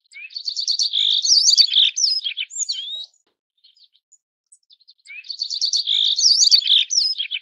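A Yellow-browed Bunting gives two high, sweet twittering phrases of about three seconds each. Each phrase runs fast chirps into a few clear slurred whistles, with a quiet pause between.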